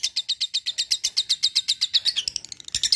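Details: Lovebird giving a rapid ngekek run of sharp, high chattering notes, about eight per second, turning rougher and less regular toward the end.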